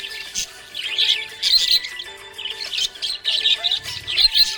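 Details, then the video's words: Cheerful budgie chirping in clustered bursts of scratchy, twittering chatter separated by brief pauses, accompanied by faint sustained musical tones beneath the bird. "Happy budgie chirping sound"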